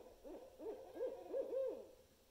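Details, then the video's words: Barred owl vocalizing with five arched, hooting notes in quick succession, the later ones louder and more drawn out, then fading; background otherwise quiet. "Barred owls vocalizations including the seld heard "monkey laugh.""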